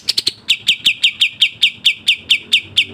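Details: Sooty-headed bulbul song performed as a fast, tightly packed varied training recording: rapid sharp chirps, three quick ones then a steady run of bright notes about four per second, very regular, over a quiet background.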